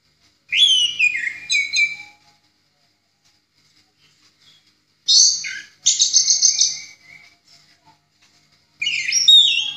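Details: Orange-headed thrush in ngeplong song style for training songbirds: a falling whistled phrase, then a pause, a sharp swoop followed by a buzzy rattling trill, and a final twisting whistle.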